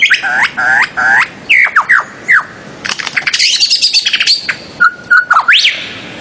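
Bird-of-paradise giving loud, harsh squawking notes in quick bursts, then a rapid run of chattering notes and a few whistled calls.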